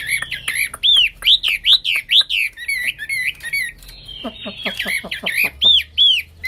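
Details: Hwamei singing energetically (gacor): loud, rich whistled notes slurred up and down, repeated in a quick series, then a burst of rapid descending chattery notes before the clear whistles return.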